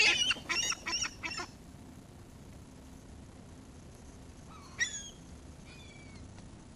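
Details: While being fed, gulls give a quick run of five loud, harsh, piercing cries in the first second and a half. Quieter drawn-out squeals follow, with a steady low rumble underneath.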